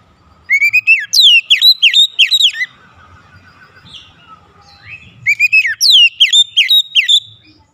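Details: White-rumped shama singing as a lure to stir other shamas: two bursts of loud, rich whistled notes, each a rapid run of falling slurs, separated by a quieter pause with a faint low hum.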